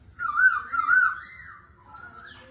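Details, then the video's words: Brief wavering whistled phrase from a laughingthrush singing a wild forest voice in competition, followed by a fainter short whistle. "Khướu hót giọng rừng - hót đấu - đảo giọng liên tục - kéo thuốc lào"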